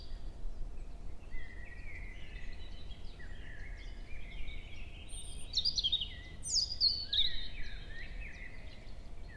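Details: Male European robin singing at 7 a.m. in early May in forest at Hoher Peißenberg, female nearby giving contact calls. Several drawn-out thin whistles step upward into a jumbled, glittering high trill with quick descending notes.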